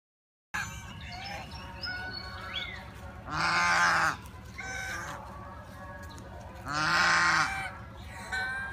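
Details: Geese at the Preah Chhor pagoda in Prey Veng Province, Cambodia: two loud, harsh, nasal honks about three seconds apart, each lasting under a second, over a steady low hum with thin whistled calls of other birds between them.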